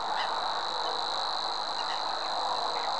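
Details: Savi's warbler song: a continuous, even buzzing reel held on a single pitch for the whole stretch, over a steady hiss of background noise.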